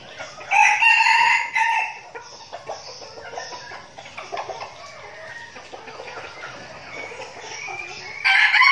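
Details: Decoy red junglefowl trained in Bình Phước, Vietnam, giving a gravelly, clipped crow early on, then soft clucks and rustling, with a second crow starting abruptly at the end.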